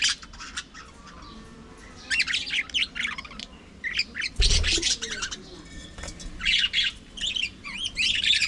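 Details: Budgerigars in an aviary chatter with scratchy squawks and twittering warble phrases, quieter at first, then busier, with one loud low thump midway.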